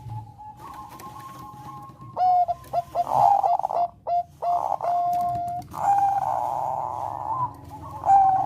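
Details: Melodious song of a Bangkok-type zebra dove, used to bring on breeding condition: a quiet opening coo, then loud, choppy bursts of short mellow notes leading into long, warbling, rolling coos.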